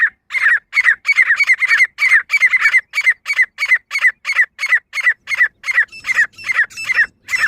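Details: Female grey francolin calling: a fast run of harsh, squawking notes around two to three per second, each a clipped burst, continuing steadily with brief gaps and no other clear sounds.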